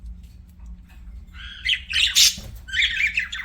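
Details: After a quiet start, a budgerigar breaks into bright, squeaky chirps and a scratchy warble, with a short thump in the middle, then more chattering notes.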